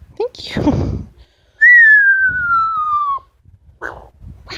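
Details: Pet Amazon parrot, a female, vocalizing indoors: a loud, clear whistle that falls slowly in pitch over about a second and a half, followed by short harsh squawks and quiet room noise.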